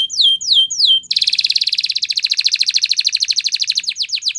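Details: Spanish Timbrado canary training song opening with three long descending whistled slurs, then switching to a fast, even rolling trill of rapid notes that runs for several seconds.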